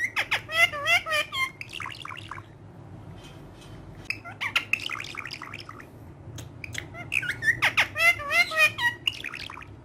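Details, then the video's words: Green pet parrot said to speak Urdu, playful with a hand: rapid clusters of raspy, chattering, speech-like syllables and squeaky chirps in three bursts separated by short quiet gaps, indoors. "Amazing Urdu Bolne Wala Tota || Green Talking Parrot"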